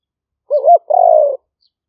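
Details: Spotted dove, a lure singer in the local liu-fueang (liu-hoi) style for trapping, recorded live in rainy-season rice fields near Nong Khu Phai, Roi Et, Thailand, in 2021 by smartphone: a two-part phrase, a stuttered coo followed by a long, steady purring coo.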